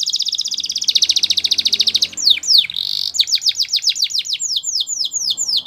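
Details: Russian canary delivering a rapid pulsing trill, a short buzzy note, then a string of sharp descending whistles at a brisk, even rhythm; faint low hum.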